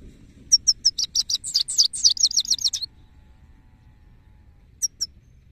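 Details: A male goldfinch sings a rapid string of high, tinkling chirps that lasts about two seconds and speeds into a dense twitter. After a pause come two short isolated notes. The background is quiet.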